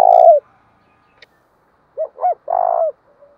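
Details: Spotted dove used as a decoy to provoke rivals, ending one long hoot, then after a pause giving two short notes and a sustained low coo; a faint click is heard between.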